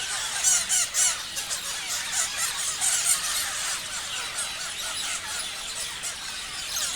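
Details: Parrots chirping loudly together, rapid high squeals in quick bursts at the start, then a steady busy chatter of overlapping calls.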